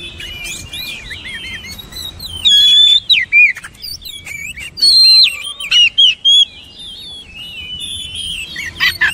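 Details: Oriental magpie-robin song as training material: soft varied twitters at first, then loud sustained whistled notes sliding downward, interspersed with sharp chirps and short bursts.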